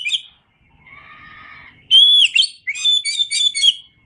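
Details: Indonesian kacer (Oriental magpie-robin) masteran song: a short whistle, then a softer buzzy chattering passage, then a loud pure whistle that bends downward, followed by a quick run of varied chirping notes.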